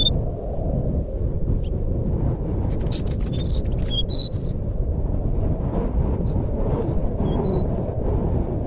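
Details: Forest flycatcher (sikatan rimba) fluting song meant as a lure for birds that will not sing: a dense cluster of high whistled notes, a pause, then a softer descending string of whistles, with a steady low background roar.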